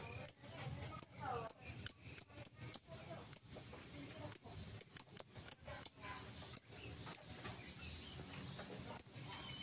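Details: Lovebird 'ngetik' ticking song, free of 'ngekek' chatter, used as a lure for other lovebirds. About twenty sharp, high clicks in loose bursts of quick ticks separated by pauses, ending with one lone tick after a long gap.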